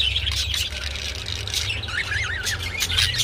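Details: Budgerigar warbling heard while the birds mate: wavering, twisting chirps and a looping whistled note near the end, set over a low rumbling background.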